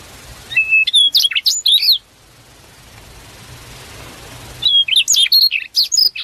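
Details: Prinia singing in the wild: a flat whistle opening into quick high chirps and twitters, silence with soft hiss, then a similar bright phrase repeated.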